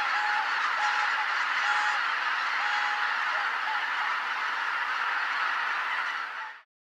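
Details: A flock of greater white-fronted geese flying in to roost at Kotomonuma, Japan, 13 October 2019, shortly after sunset: a thick chorus of honks with a few distinct nasal notes, ending abruptly.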